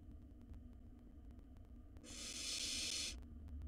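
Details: A single breathy hiss lasting about a second from a wild barn owl nestling in a nest box as it swallows a mouse whole, over low steady hum.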